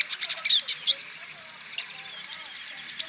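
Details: Olive-backed sunbird song used for training other sunbirds to sing: quick series of high, piercing chirps and whistled notes, irregular and hurried, with brief pauses between short clusters.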